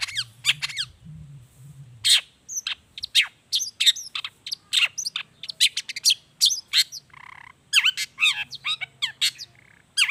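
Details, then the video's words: Long-tailed shrike song used as a lure to make shrikes sing: rich, varied mimicking phrases of sharp chirps, rising and falling whistles and buzzy notes in rapid succession, with a faint low hum underneath. "SUARA CENDET GACOR ISIAN ALAM || ANTI GAGAL efektif bikin cendet malaspun langsung ikutan bunyi"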